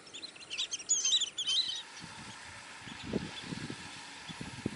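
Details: Long-billed dowitcher giving a quick burst of thin, sharp, high-pitched notes clustered in the first two seconds, followed by low dull thumps and rumbling background noise.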